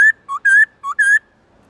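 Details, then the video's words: Black-throated laughingthrush giving forest-style song (giọng rừng) used to train other birds. Pure whistles alternate between short lower notes and longer, steady higher notes, five notes in quick succession. "Khướu bạc má HÓT GIỌNG RỪNG tone dài to rõ cực hay| Luyện khướu bạc má hót giọng rừng mỗi ngày"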